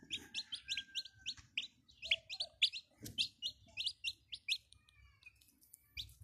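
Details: Several chicks cheeping in quick succession, bright high peeps with downward slurs, overlapping at times, tapering off toward the end; faint low rumble in the background.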